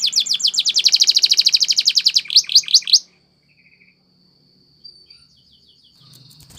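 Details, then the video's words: Belgian canary training song: a rapid, rattling high trill for about three seconds ending in a few swooping notes, followed by near silence with only a faint thin tone. "The Singing Belgian Canary | Canary Training Is Effective"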